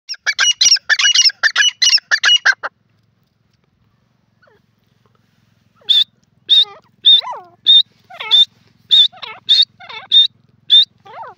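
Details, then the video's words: Grey francolin in a jungle: a burst of rapid, harsh clustered notes, a pause, then loud calls repeated about every half second, each a high clear note joined to lower swooping tones. "jungli teetar voice,grey francolin in ajungle,gora awaz"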